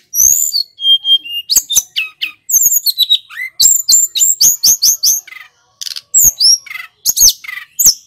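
A snowy-browed flycatcher sings a fast, unbroken run of thin, very high whistles and sharp downslurred chirps, with one brief pause midway.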